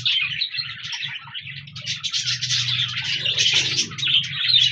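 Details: Parakeets known as budgies, recorded on 14 January 2024, keep up a busy, scratchy warbling chatter of quick chirps, with a faint low hum underneath.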